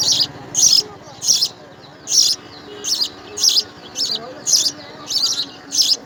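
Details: Young house sparrows in the nest begging as they are fed insects: ten shrill, hissing bursts in about six seconds, evenly spaced, above a faint background.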